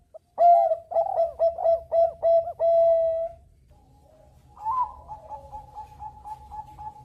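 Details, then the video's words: {'caption': 'Bangkok-strain zebra dove singing actively to encourage other birds to sing along. A close bird gives a fast series of loud, purring coos, then goes quiet while a more distant dove answers with quicker, softer coo notes.'} "Perkutut bangkok gacor MEMANCING BUNYI Burung Lain IKUT BUNYI"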